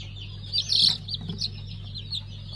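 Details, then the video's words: Newly hatched pheasant chicks of a five-colour stock, recorded 3 August 2019: scattered high thin peeps, one louder cluster near the middle, over a constant low electrical hum. "5 Renk Fizan - Yeni Civciv Çıkımımız."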